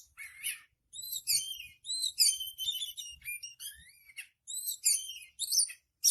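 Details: Oriental magpie-robin, known locally as kacer, singing continuously: bright, varied phrases of high whistles, rapid trills and sweeping slurred notes in short bursts separated by brief pauses.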